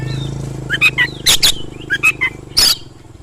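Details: Oriental magpie-robin singing rapidly as a lure to draw other magpie-robins into answering song: short clear whistled notes and slurs between loud harsh rasping bursts, over a steady low engine-like hum.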